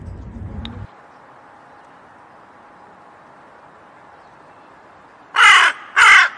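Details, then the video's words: A crow gives two loud, harsh, grating caws in quick succession near the end, after a brief low rumble and a stretch of quiet background hiss. "Canto do Corvo Som do Corvo"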